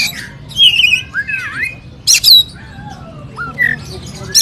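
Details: Poci-type Oriental magpie-robin singing to provoke rival birds: scattered harsh squawks and rising and falling whistled slurs with pauses between, over a steady low hum.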